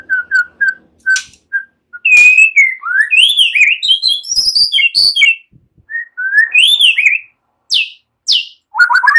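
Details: White-rumped shama, relaxed song with cililin and ciblek phrases; soft repeated whistles at the start, then a loud rich run of rising and falling whistled notes and warbles, with brief sharp chips between.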